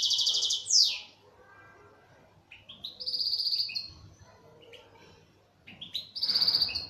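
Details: Local Algerian European goldfinch, a kept bird, singing in short bursts: bright high twittering phrases and a quick downward sweep, separated by quiet pauses of about two seconds.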